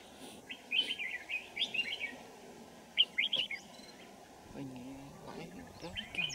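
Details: Red-whiskered Bulbul song at a decoy trapping site in Kim Bôi, Hòa Bình, Vietnam, winter morning, 3 January 2018; two bursts of lively whistled, warbling phrases, a brief murmur of speech, then another phrase.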